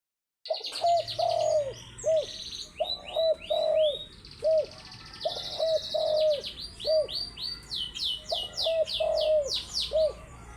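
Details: Spotted dove calling in the morning: low hooked coos repeated in uneven runs, about one every two seconds, with high chirping and whistling from other small birds throughout.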